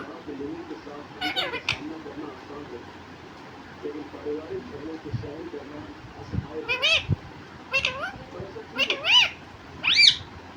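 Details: Talking parrot, said to say "mummy papa", stays mostly quiet at first, then produces a run of short, harsh, voice-like syllables in the last few seconds, each a bit louder, over low indoor background.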